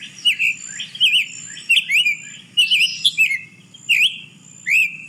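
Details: Summer Tanager song variant from Texas, its form depending on region and early learning: robin-like chirpy whistles, each note rising then falling, delivered in short phrases of two or three with brief gaps, clear over quiet background.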